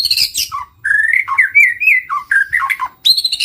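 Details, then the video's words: White-rumped shama lure song, a dense flow of warbled whistles, sliding notes and quick high chirps with only brief breaks. "Suara pikat murai batu"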